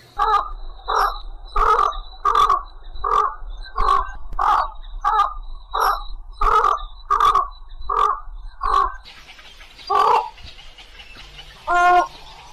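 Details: Harsh, grating croaks from a white egret calling the flock, about a dozen in a regular series roughly every 0.7 seconds, then a pause, a hissing rush of noise, and two more rough calls at the end.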